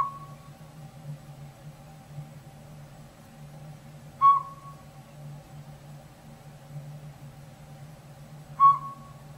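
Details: Small Northern Pygmy-Owl in backyard woods, apparently settled in an old sapsucker hole in a rotted tree, upsetting the squirrels; evenly pitched single whistled notes spaced about 4.3 seconds apart over a low droning hum.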